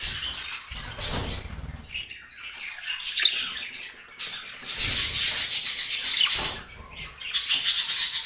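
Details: A breeder pair of budgies in yellow, blue and green chatters fast and high, with a buzzy, dense stretch of rapid trilled notes partway through and a faint low thump early on.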